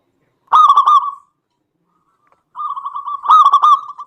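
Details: Zebra dove of a local strain in full song, used to stir rival doves to answer: a loud rolled burst of quick coos, a silent gap, then a long string of evenly spaced soft coos ending in another loud burst.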